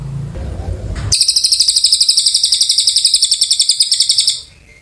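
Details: Oriental white-eye in long, vigorous song: a fast, steady run of thin, high chirping notes, about four each second, held for over three seconds after a brief low rumble.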